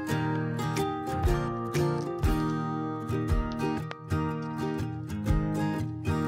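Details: Strummed and plucked acoustic guitar music plays throughout, with no animal voices.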